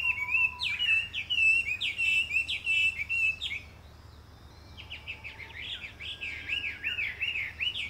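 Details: Chinese hwamei singing loud, rich whistled phrases that slur up and down, repeated in quick varied bursts about twice a second, with a brief pause midway before the song resumes. A steady low hum runs underneath.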